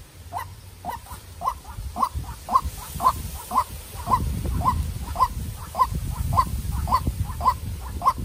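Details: Young captive decoy white-breasted waterhen sent out to meet and duel a wild bird: hoarse mid-pitched notes repeated steadily about twice per second, over low rumbling background and a steady high electronic tone.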